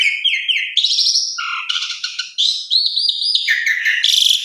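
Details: Asian pied starling giving a rich lure song of fill-in notes: harsh buzzy bursts, low fluty whistles and looping high whistled phrases, ending in a rasping burst.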